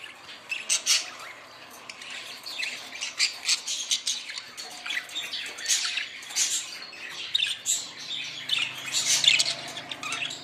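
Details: Budgerigars chirp again and again, sharp high notes spaced roughly every half second with brief twittering runs, over a faint low hum late on.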